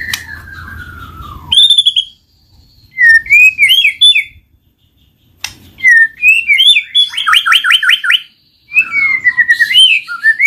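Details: White-rumped shama in full 'gacor ngeplong' song used to coax lazy shamas: a long descending whistle, then sweet rising-falling whistled phrases, a fast buzzy rattle and sharp chips separated by brief silences.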